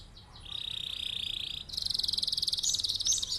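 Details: Male canary in a long rolling song, kept for tutoring other birds to sing along: a steady buzzy trill held around one pitch, then a higher, faster pulsed roll for nearly two seconds.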